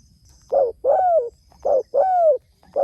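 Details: Spotted dove calling to others: loud, low hollow coos, a short note followed by a longer drawn-out falling coo, paired and repeated about every second and a half, with faint high insect-like hiss in the background.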